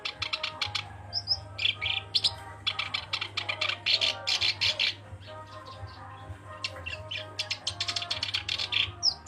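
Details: Black-browed reed warbler singing vigorously: fast harsh chattering bursts of clicks and buzzy notes mixed with short high whistles, in rapid phrases with brief pauses, over a steady low hum and faint background tones.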